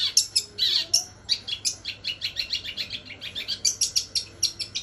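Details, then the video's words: Long-tailed shrike giving a rapid series of high, scratchy chipping notes repeated several times per second, with brief squeaky whistles at the start. "CENDET ISIAN GEREJA SAMBUNG KUNTI"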